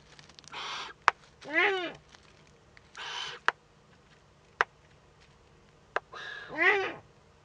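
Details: Eagle-owl nestling in northern Rhineland-Palatinate, Germany, filmed by nest webcam on 15 May 2013 at its first meeting with an adult: alternating breathy hisses and two wavering harmonic calls, with several sharp clicks between them.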